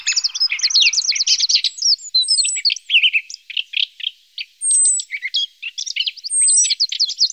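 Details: Lesser spotted woodpecker feeding its young: a fast, dense run of high, scratchy chirps and chatter, broken by a few long, thin, very high whistles.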